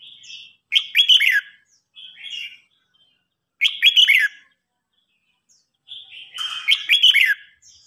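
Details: Red-whiskered bulbuls in a singing contest, an old bird challenging a young bird; loud bubbling warbled phrases repeat about every three seconds, each preceded by a softer whistled note.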